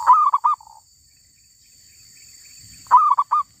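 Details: Wild female zebra dove caught while trapping: two loud three-note cooing phrases, the first trailing into a short soft coo, separated by a quiet gap with faint hiss and a low rustle.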